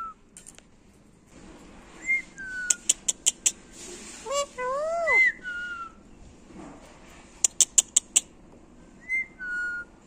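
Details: Speech-mimicking female Alexandrine parakeet: bursts of sharp clicks, brief rising and falling whistles, and a quick run of harmonic, word-like syllables in the middle, over faint background music in a room.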